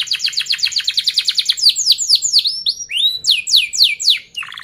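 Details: Canary song played so young canaries learn it: a rapid even trill of high pulses shifting into loud downward sweeps, one lower whistled note, and a final short buzzy trill.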